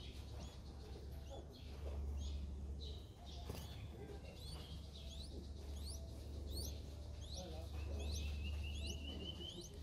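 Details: Streak-eared Bulbul chick, five days old, Ubon Ratchathani, Thailand, 7 April 2023. Quiet, thin, upward-sweeping peeps come in fast clusters, mostly in the second half, against a low steady hum.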